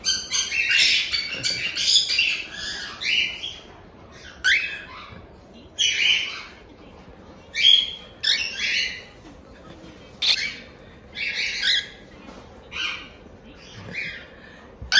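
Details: Several one-month-old cockatiel chicks from a Tokachi, Hokkaido breeder make their chick-only 'jaa-jaa' begging calls: rasping, hissy squawks in short bursts repeated about every second or two over fifteen seconds, with quiet pauses between.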